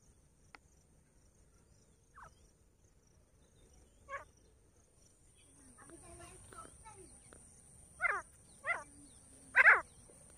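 Grey francolin giving a few faint harsh notes, then three loud, ringing calls in quick succession near the end, over a steady high insect-like hiss.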